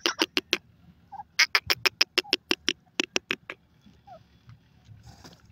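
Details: Partridge calling in grass: two bursts of rapid, sharp, clicking chucks, about a dozen notes each at roughly three per second, then fading into low rustling background noise.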